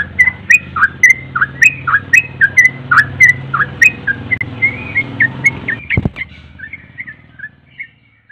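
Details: Yellow-vented bulbul, locally trucuk, singing eagerly: quick, repeated whistled notes that swoop up and down, several per second, over a low engine-like hum. A loud click interrupts, then softer, sparser whistles follow as the song tails off.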